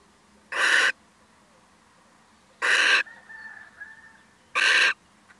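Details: Male little owl paying a brief visit, possibly startled; three loud harsh screeching calls about two seconds apart, with a faint thin whistled tone between the second and third.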